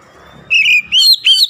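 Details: Oriental magpie-robin, sung to provoke other magpie-robins; three clear whistled notes, the first long and level, the next two rising then falling, after a faint low rumble.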